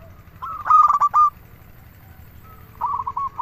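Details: Zebra dove, local type, singing readily: one strong staccato coo phrase with a trilled finish, then a pause and a softer phrase starting up.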